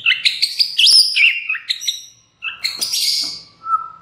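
A white-rumped shama sings a rich, varied run of loud whistles, trills and rapid chattering notes, pausing briefly before a second burst ending in a clear whistle.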